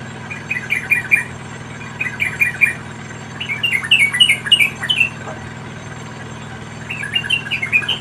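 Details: Begging calls of wild yellow-vented bulbul nestlings as the parent brings food: bursts of scratchy, rasping squawks in short clusters, separated by brief silent gaps, with a longer pause before a final burst.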